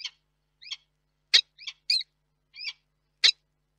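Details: At a nest box in Reda, Poland, in August 2021, a male peregrine falcon calls for his mate, who does not arrive; sharp, scratchy chip notes, some with a brief whistled overtone, spaced roughly half a second apart, quiet background.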